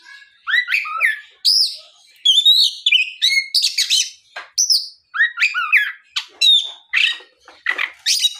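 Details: Continuous afternoon singing by an Oriental magpie-robin, used to lure other magpie-robins into song. Rich whistled slurs, looping notes and crisp chirps tumble out in quick, varied phrases with short gaps between them.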